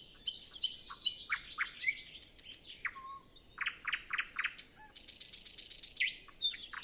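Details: Nightingale singing before sunrise on a windless early morning, other birds still silent; varied phrases of sharp repeated notes, rapid buzzy trills and a few low pure whistles, recorded on a Zoom F6 with Sennheiser MKH 8040.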